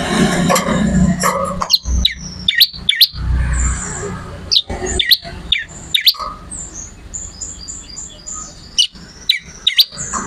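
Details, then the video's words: Vigorous bar-winged prinia song for songbird training: crisp, high, downward-sweeping chirps in uneven bursts, with a series of short high whistled notes midway and a low background rumble. "MASTERAN BURUNG MATERI CIBLEK ORIGINAL GACOR"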